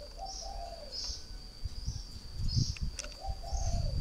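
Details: Spotted dove, a northern Vietnamese cage bird used as a decoy for three years, giving two drawn-out soft coos over low rumbling noise and a faint high whine.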